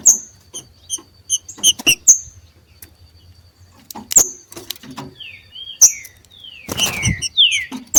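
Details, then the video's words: In the wild, two green-winged saltators compete. High thin chips and clicks come first, then a cluster of downward-slurred whistled notes in the last three seconds, with a thump of noise. "DOIS trinca ferro MACHEANDO na NATUREZA e canto de trinca ferro"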